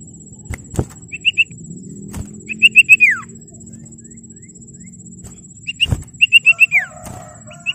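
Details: Common iora song used to call rivals and stir other ioras into song. Two bursts of rapid high whistled notes, each ending in a falling slur, separated by a pause over low background rumble.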